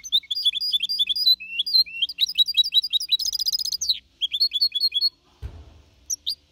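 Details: Young goldfinch hybrid (mixto), four and a half months old, singing a clean Malaga-copy song. Rapid twittering, sliding phrases lead into a dense buzzy trill, then resume after a short break. A soft low thump is heard near the end.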